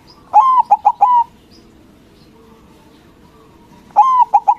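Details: Loud-voiced white local zebra dove singing to make rival doves answer instantly: a rolling phrase of one drawn coo and three quick notes, then after about three seconds of quiet another similar phrase begins.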